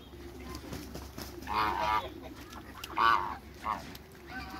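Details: African and Toulouse geese kept together in a backyard, parents of a new hybrid, giving three nasal, harmonic honks over about two seconds, the second loudest, above a low steady background hum.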